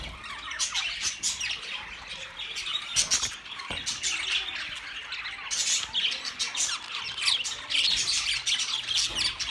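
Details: Budgerigars calling in a busy group, a thick stream of high, scratchy chirps and squawks with frequent sharp accents and no pauses.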